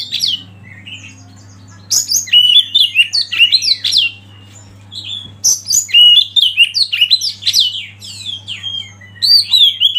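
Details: Oriental magpie-robin singing rich, varied whistled phrases that swoop up and down in quick bursts, with short pauses between; a steady low hum runs underneath.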